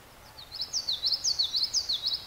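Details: Common yellowthroat singing at Blendon Woods: a rapid series of high, rolling three-note phrases repeated about every quarter second, bright and sweet, over a quiet background.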